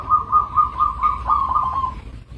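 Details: Local zebra dove giving one continuous, rapidly pulsed, purring trill at a steady mid pitch for about two seconds, loud and close, with low rumble underneath.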